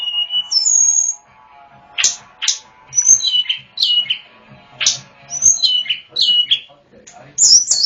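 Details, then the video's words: Wild hill prinia singing in mountain forest over gently trickling water: varied short whistles, sharp downward-sweeping notes and quick slurred phrases, delivered in irregular bursts about every second. "Terapi air burung tledekan gunung hutan"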